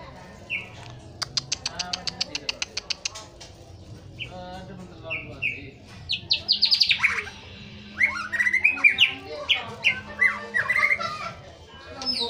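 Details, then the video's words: A white-rumped shama delivers morning pastol-style song to excite a young bird: a fast run of dry clicking ticks, then bursts of high whistles and twittering phrases, with a low hum underneath. "KICAU MURAI BATU PASTOL PAGI HARI MERANGSANG MURAI TROTOL NGEPLONG"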